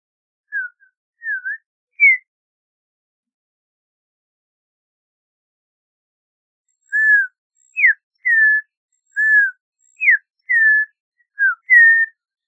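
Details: Audubon's oriole giving slow, clear whistled notes, each a short slurred or falling whistle, three at the start, then after a long pause about eight more spaced roughly half a second apart; otherwise quiet.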